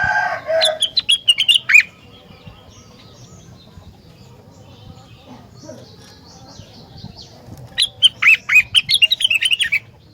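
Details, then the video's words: Rengganis singing loudly in a way meant to prompt other rengganis to answer. Two bursts of fast, clipped, high chirps are separated by a quiet stretch with faint twittering. The second burst is longer, about eleven notes stepping downward. "Burung Rengganis Lain Ikut Gacor Jika Dengar Suara Rengganis Super Gacor Ini"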